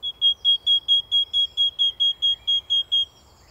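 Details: Great tit singing a single-note song type: a pure, even whistle-like note repeated rapidly about fourteen times in three seconds, steady pitch and regular spacing, then silence; garden bird recording with faint background hiss.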